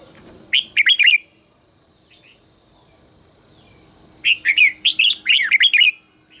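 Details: Red-whiskered bulbul singing as part of voice training: a brief phrase of warbled whistles, a three-second pause, then a longer bubbling run of bright, rising and falling notes.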